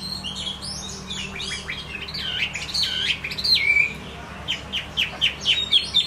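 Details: Varied song of a Chinese hwamei: quick looping whistles and sharp downslurred notes, then a series of short clipped phrases repeated at intervals.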